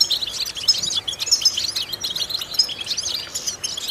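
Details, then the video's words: Goldfinch vocal training recording meant to stimulate other goldfinches: rapid, high-pitched twittering with sharp metallic notes and short trills, packed closely together. "important vocal exercises necessary to stimulate goldfinches"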